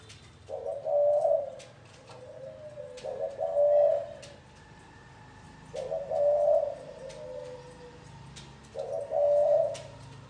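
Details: Low, soft cooing of a spotted dove in the gáy gù style: four clear phrases about every two and a half seconds, each a rolling hoot that fades into a trailing note.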